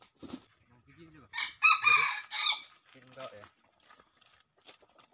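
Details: Red junglefowl in the wild, arriving with a young male while being lured for trapping; a loud, raspy crow of about three linked bursts lasting just over a second, with people talking quietly before and after.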